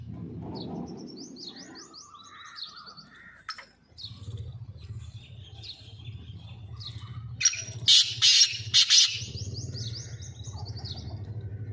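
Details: Kept black francolin, a hobby bird, giving a loud burst of three harsh, rasping notes near the end, amid scattered chirps of smaller birds and a steady low hum.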